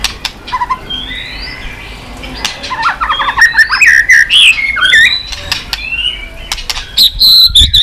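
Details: White-rumped shama stimulated into excited singing while flicking and snapping its tail: varied clear whistled phrases, some rising and some falling, mixed with sharp clicking snaps and a few squeaky notes.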